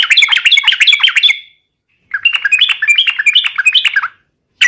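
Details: Yellow-vented bulbul in a fighting song to provoke rivals: two long phrases of rapid, liquid chattering notes separated by a short silence, ending with a brief sharp note.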